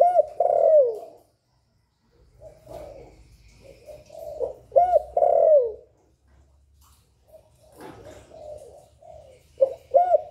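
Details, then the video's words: Spotted dove giving calling, urging and cooing phrases, recorded live without background noise to stimulate captive doves: loud, hoarse, low coo phrases in bursts about every four to five seconds, softer cooing between, over a faint low rumble. "Cu Gáy Gáy Gọi + Thúc + Gù"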